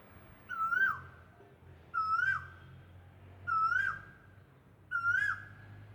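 An Asian Koel gives four clear, fluty calls, each a rising two-part whistle repeated about every second and a half, over a faint low hum.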